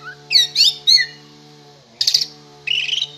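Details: Captive oriental magpie-robin being readied for a hanging song competition. It gives three harsh, buzzy, high bursts in the first second, a pause, then two rasping, chattering phrases near the end, over a steady electrical hum.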